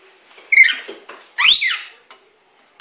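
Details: A pet lory bathing in a wet cloth in a sink gives two harsh, buzzy squawks, the second louder and sweeping upward, indoors with little else heard.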